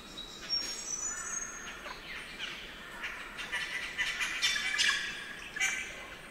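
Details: Spangled drongo calling in Australian rainforest at Nightcap; scratchy chattering and harsh grating notes with short whistled fragments, irregular bursts over a faint ambient forest hiss.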